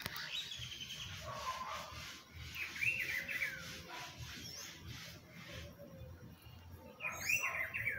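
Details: In spring, a rufous-browed peppershrike repeats rich warbled whistled phrases, a brief one early, then a longer phrase, and another near the end, over steady low rumble.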